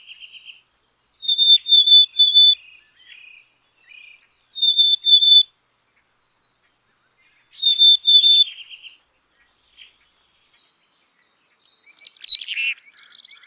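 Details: A black-capped chickadee repeats a clear, high three-note whistle roughly every three seconds, interspersed with buzzy dee notes and short chips, ending with a sharp rasping call.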